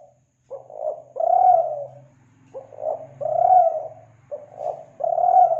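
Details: Spotted dove from Kelantan, cooing as a lure for doves: three phrases of a brief note, a short coo and a long rounded coo, over a faint low electrical hum.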